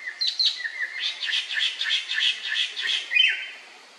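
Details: Male black-naped monarch, Hypothymis azurea, at the Khao Phu Phlu ranger station in a national park, Phetchaburi, Thailand, 1 May 2024: ringing notes repeated rapidly in a steady series, with a sliding whistled note at the start and end.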